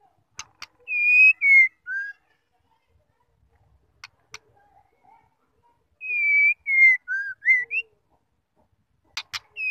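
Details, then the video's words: A female white-rumped shama gives its male-provoking call: sharp clicks and a five-note whistled phrase, repeated about five seconds later, with scattered clicks between phrases. "PANCINGAN SEMUA MURAI || PASTI NYAUT NGEPLONG AUTO GACOR ISIAN KELUAR SEMUA"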